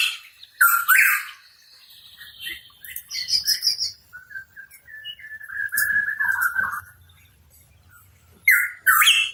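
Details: Hooded pitohui in full song: harsh opening notes, then a longer sequence of softer whistled and chattering notes, ending with two loud raspy calls, over a faint low rumble.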